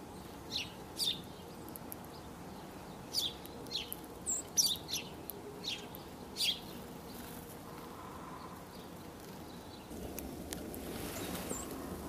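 Dark-eyed Junco giving short, sharp high chips, scattered irregularly over several seconds, against a steady hiss of background noise.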